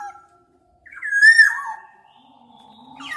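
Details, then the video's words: Black-naped Oriole giving a single smooth, fluty whistle that falls and fades, with a faint low tone afterward. "Tiếng chim Vàng anh Gáy đen/ VA Trung Quốc ✅Black-naped Oriole(Oriolus chinensis)"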